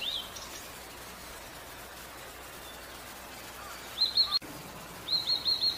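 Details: Blue-and-white flycatcher in Bogor gives three short bursts of high, thin, quickly repeated notes with pauses between, over a quiet steady hiss.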